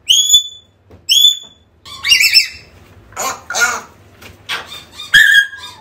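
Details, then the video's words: African grey parrot calling, recorded indoors, for playback to lure a lost bird back: two bright upward-sweeping whistles with rich overtones, then a series of harsher squawks and chatters. "AFRICAN GREY SOUNDS CALLING"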